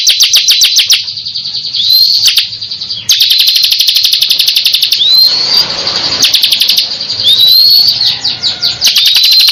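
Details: Bar-winged prinia (ciblek kristal) singing gancor, bursts of rapid high ticks around four per second alternating with thin rising whistles and short gaps.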